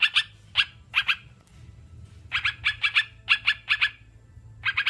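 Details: Sooty-headed bulbul with sparser scratchy notes: a few isolated calls, a silent second, then quick clusters of harsh chattering; played to kept birds to encourage singing.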